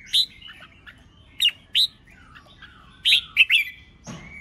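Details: Red-whiskered bulbul singing contest phrases in the 'ché chét' voice: separate sharp chirps and short warbles spaced by pauses, with a soft falling whistle and a brief thud near the end.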